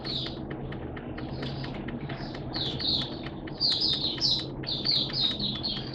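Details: Caged Oriental white-eye in wet, erratic weather, kept as a hobby songbird, giving a fast run of high, thin chirped notes that grows louder and busier midway, over a low background hum.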